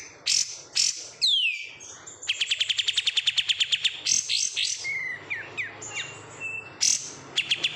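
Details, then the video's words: Kapas tembak, an oriental white-eye kept as a cage bird after wild capture, delivers high chirps, then a fast even trill of about twenty clipped notes, followed by short whistles and sweeping slurs. "menikmati suara kapas tembak KG"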